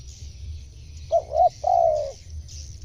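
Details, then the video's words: Single spotted dove phrase meant to attract wild birds: two soft clipped coos and a longer, smooth downward-gliding coo, clear and mid-pitched above a constant low-frequency drone. "suara tekukur cocok memanggil burung luar"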